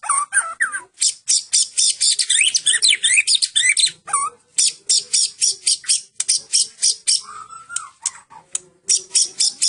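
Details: White-rumped shama of the Medan type singing a full cililin song: loud, very rapid, high-pitched, buzzy notes pulsing several times a second, broken by brief slurred whistles and a falling whistled note.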